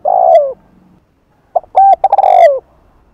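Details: Spotted dove cooing in the 'hạp bổi' voice style, a 'thúc' and 'gù' sequence used to attract other doves in the afternoon: a short mellow coo, a pause, then a stuttering run of throaty notes ending in a long falling coo.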